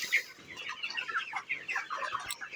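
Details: Broiler chickens on a farm at 29 days old give a stream of uneven chirps and clucks, louder bursts rising and falling every few tenths of a second above the constant flock murmur.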